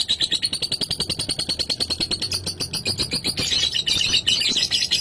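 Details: Lovebird ngekek, a long chattering song used to provoke rival lovebirds into calling; dense rapid pulses of harsh high chatter repeated quickly, with a low background hum throughout.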